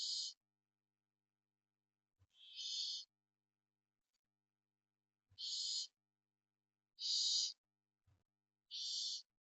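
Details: Spanish barn owl at the nest during parental care, giving five rough hissing screams at uneven gaps of one to three seconds, with soft low knocks heard just before several calls.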